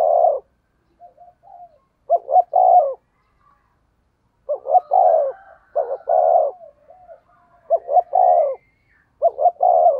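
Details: Spotted dove kept as a decoy bird, cooing in the 'thổ' voice with 'thúc gù' style: phrases of two short notes followed by a longer, falling coo, repeated at irregular intervals, with faint softer notes between.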